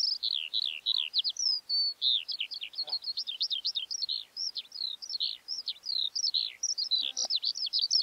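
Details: Skylark: a continuous, rapid stream of high, twittering notes, each quickly rising and falling in pitch, delivered almost without pause for the whole stretch; faint low clicks near the middle and near the end.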